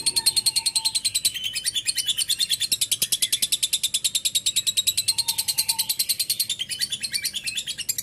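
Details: Lovebird in continuous ngekek chatter, steady rapid harsh pulses kept up for eight seconds without a break, while a soft low whistle sounds twice in the background.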